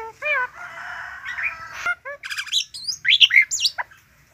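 A myna sings a jumbled medley: ringing whistled notes, a buzzy rasp, then quick rising and falling squeaky whistles.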